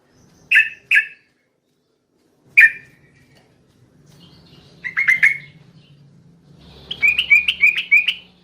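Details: Yellow-vented bulbul at night, described as a female calling the male: two short bright chirps, a lone third chirp, then a burst of bubbly notes and a quick run of six rising twittered notes over a faint low hum.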